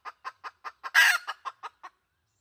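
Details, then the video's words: Red junglefowl hen giving about nine short clucks in two seconds, with one longer, louder harsh note in the middle. "Suab dib qaib qus poj tsauj. เสียงต่อไก่ป่า"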